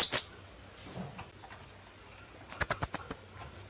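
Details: Philippine hanging parrot lure call: a sharp, piercing note at the start, followed after two seconds by a rapid series of six high, clipped notes.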